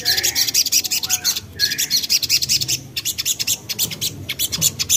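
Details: Young common iora, known locally as sogok ontong, played as a lure to set birds singing: dense, continuous high chattering and twittering notes in quick bursts, with a faint lower whistle underneath.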